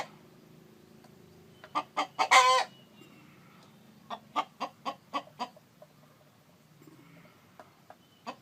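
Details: Chicken, a rooster with a hen on eggs: clucks rising into one loud, rasping, sustained squawk, followed by a steady run of about seven soft, evenly spaced clucks, with low background hum.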